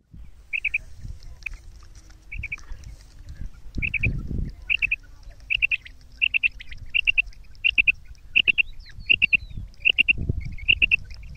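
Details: A female common quail gives short, high double chirps in a mixed kirak and sirak call, repeated about every half second to second, over a low rumbling background.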